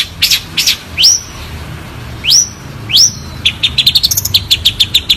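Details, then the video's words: Long-tailed shrike song, clear: two sharp high chirps, then three upslurred whistled notes about a second apart, ending in a quick run of rising high ticks, over faint low background hum. "Masteran Jitu Burung Cendet Suara Jernih"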